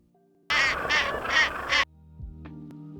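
South Polar Skua giving four harsh, nasal squawks in quick succession, about three a second. Soft background music follows.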